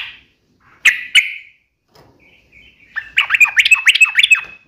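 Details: Yellow-vented bulbul giving two loud, sharp chips, faint soft notes, then a burst of fast, ringing, rattling song notes ending in a whistled tail.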